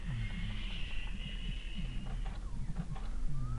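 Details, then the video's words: Two fluffy Little owl fledglings, just out of the nest, being fed in the evening at Kalmthout on 11 June 2022; a long hoarse hissing screech runs about two seconds, followed by scattered clicks over low background rumble. "Steenuil jongen krijgen avondeten"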